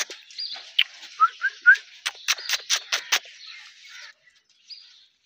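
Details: Indian ringneck parakeet: a few short rising whistles, then a rapid series of harsh, clipped screeches about seven times a second, followed by a softer rasping chatter and one brief high note.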